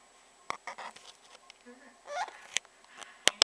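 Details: Orange-winged amazon parrot mid-rant, pet bird indoors: scattered sharp clicks and a rasping, rising squawk, ending with two loud piercing shrieks in quick succession.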